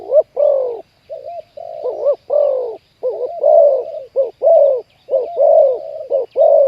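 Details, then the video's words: Spotted dove, trapped wild bird with a loud 'khu ang' voice, during decoy trapping. Low, resonant coos are delivered in uneven groups of short, clipped notes and longer, sustained hoots. "ต่อนกเขาใหญ่ วันนี้จับนกป่าคูอ่างเสียงใหญ่"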